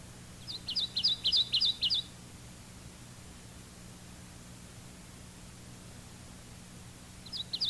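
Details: Male Kentucky warbler singing his repetitious two-noted chiree, chiree song: a quick burst of about five bright, bouncing whistled phrases, then a long pause before the next song begins at the end.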